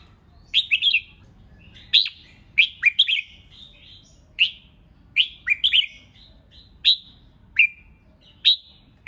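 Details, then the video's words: Red-whiskered bulbul's competitive song used to incite newly caught birds: short, sharp whistled phrases with dipping and rising notes, repeated roughly every second or two with brief silences between. "Kích Chào Mào Hót Ché/ Kích chào mào hót đấu hay nhất,bổi nghe là hót theo,khiến bổi ức chế căng lửa"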